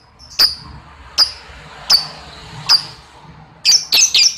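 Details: Lovebird uttering sharp high clipped notes spaced under a second apart, four in a row, followed by a quick cluster of harsher rapid calls at the end.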